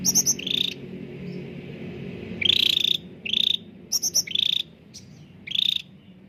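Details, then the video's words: Cucak ranting bulbul song, used as a lure to get reluctant caged birds singing: short buzzy, rattling bursts, steady then rising, with higher trilled notes between, separated by brief pauses over a low background hum. "CUCAK RANTING GACOR SUARA JERNIH UNTUK PANCINGAN YANG SUSAH BUNYI || pancingan Cucak ranting"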